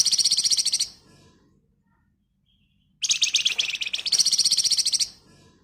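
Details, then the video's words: Flamboyan bird in agitated, dense chattering song, used as a lure to prompt other birds to sing: two bursts of rapid, buzzy, high-pitched notes, each repeated about four times a second, separated by two seconds of silence. "Burung Flamboyan Gacor Emosi Ngebren Rapat Nyerecet Cocok buat Pancingan"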